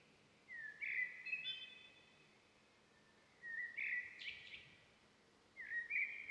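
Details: Blue-bearded bee-eater in Salem, South India, giving three short, rough, slightly rising calls about two seconds apart, with faint background noise between them.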